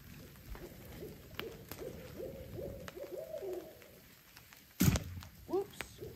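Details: On a rainy hilltop campsite beside a lake, an owl gives a soft, low series of quick hoots over about three seconds against steady rain, with a loud thump and a brief rising note afterward.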